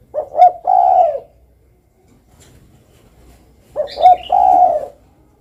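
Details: Two cooing phrases from a spotted dove, local name tekukur, about three and a half seconds apart, each a short double note followed by a long soft coo, with a brief higher chirp from another bird in the second.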